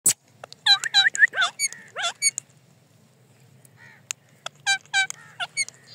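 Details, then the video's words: Male rose-ringed (ringneck) parakeet talking in a high, nasal, squeaky voice, running word-like syllables together in two quick phrases separated by a short pause. "Ringneck Parrot Talking"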